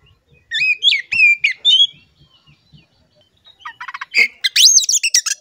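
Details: Oriental magpie-robin song played to prompt caged magpie-robins to sing: loud, varied whistled phrases that bend up and down, then a burst of rapid chattering notes and sharp rising whistles.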